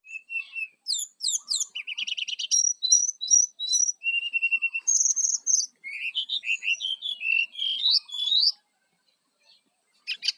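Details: Brown-chested jungle flycatcher song used to lure wild birds: a long, varied run of high chirps, trills and whistled slurred notes, busy for about eight seconds, then quiet before a last faint burst.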